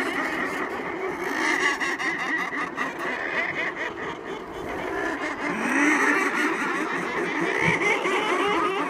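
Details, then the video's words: Dense, continuous din of a murre colony on Coats Island, Nunavut, recorded close up: overlapping growling, purring calls merge into a steady roar, with an occasional louder harsh note rising above the mass. "Sounds from a Murre Colony"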